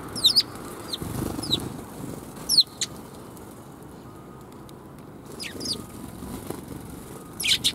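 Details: Sparrows greeting on the outward walk, recorded 16 April 2021: scattered sharp, high chirps in small bursts, separated by quiet gaps, over a continuous low noise bed.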